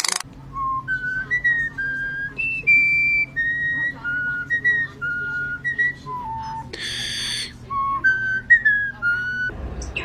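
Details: Starling mimicking human sounds: a series of clear, pure whistled notes stepping up and down like a simple tune, each held briefly, with a short burst of broad noise midway and a low steady hum beneath.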